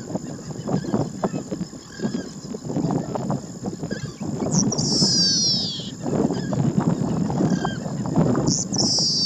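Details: Yellowish pipit (Anthus lutescens) at Rincón de los Ciervos, Artigas, Uruguay, gives two high, thin, buzzy descending slurs a few seconds apart, over a steady high insect-like hum and heavy low wind rumble.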